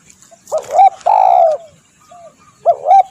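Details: Spotted dove call used as a lure for trapping birds: a short rising-falling coo, a long steady coo and a final two-part coo, all low, mellow and clearly voiced.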